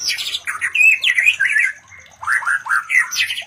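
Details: White-rumped shama mating sounds, used to bring other shamas into breeding condition: varied bursts of rich whistled and chattering notes, some slurred upward, a short pause mid-sequence, then more rapid warbled phrases.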